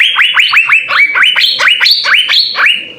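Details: Asian fairy-bluebird (cucak biru) delivering an unbroken string of liquid, upswept whistles, roughly five per second, alternating between lower and higher notes.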